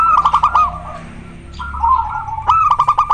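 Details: Zebra dove, local bird in breeding condition, singing rapid pulsed cooing notes that run into a longer rolling trill, then another burst of quick staccato coos.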